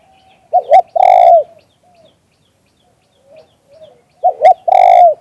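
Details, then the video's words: Spotted dove giving its 'liu tan' coo, recorded live: a short doubled note then a drawn-out, downward-curving coo, repeated once after a pause with faint soft notes between, otherwise quiet. "เสียงนกเขามงคล หลิ่วตัน"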